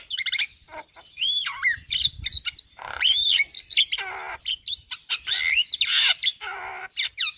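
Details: Javan myna singing its full repertoire in the daytime in front of a house: a loud, varied run of whistled swoops, rising and falling slurs and harsh chattering notes, delivered in quick bursts.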